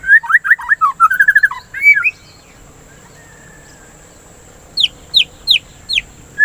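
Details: White-rumped shama singing, played to prompt birds to sing: a rapid jumbled phrase of looping whistles for about two seconds, a pause of faint background hiss, then four sharp upward-sweeping notes evenly spaced.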